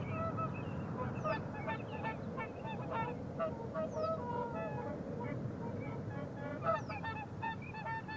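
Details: Whooper swans, rare in Washington State, give loud, bugling honks with a clear trumpet-like ring, several birds overlapping in a rapid, uneven chorus over a steady low rumble.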